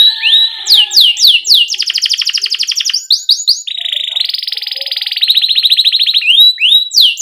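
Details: Canary song for tutoring young canaries just learning to sing, a chattering, rolling performance: fast trills of rising notes, buzzy rattling tours and steady high whistled rolls, phrases changing every second or two.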